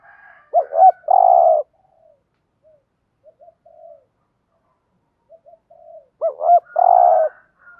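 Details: Spotted dove kept caged as a lure for wild birds, giving thúc gù cooing: a looped double note and a long throaty coo, faint scattered soft notes in between, then the same phrase again about five seconds later.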